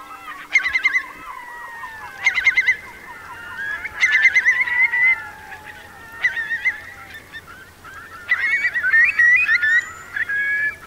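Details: Roosting Eurasian curlew flock, about 3,000 birds, in wet meadows of Marquenterre, Bay of Somme, forced off the mudflats by a strong high tide, 7 October 2021. Loud bursts of clustered rising whistles come every two seconds or so over a steady chorus.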